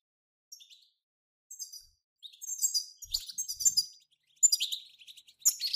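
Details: European goldfinches in group bitbita twittering, meant to prompt a goldfinch to sing. Starts with sparse, thin chirps, then builds into busy, overlapping tinkling phrases and buzzy trills, broken by a brief pause.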